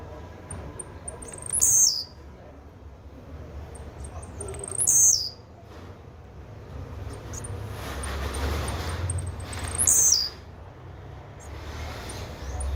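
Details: Blue-black grassquit song: short high buzzy bursts, each led by a string of faint ticking notes, repeated about every three seconds over low background hum.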